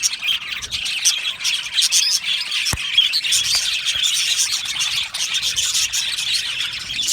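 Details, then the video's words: Happy budgerigars chattering in an aviary. A constant high-pitched chorus of chirps and warbled notes from many birds, with one sharp click or knock about a third of the way through. "Happy Budgie birds chirping sounds"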